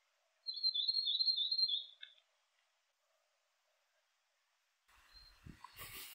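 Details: A tomtit (miromiro) in winter in the Maungakotukutuku Valley, New Zealand, gives a thin, very high, rapid trill for about a second and a half; after a pause comes a burst of rustling, handling-type noise.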